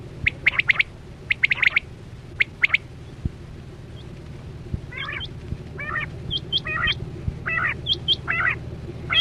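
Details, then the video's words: Chora quail calls played to lure birds into nets, 2024-25 season: rapid bursts of sharp high notes in the opening seconds, then rougher stacked chirps and thin hooked whistles from other birds over constant low hum. "Sound Of Chora Quail Batera"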